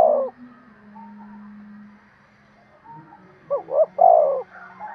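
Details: Spotted dove cooing to stimulate a male: a clipped coo ending at the start, a quiet pause, then one full phrase of two short hooting notes followed by a longer throaty coo.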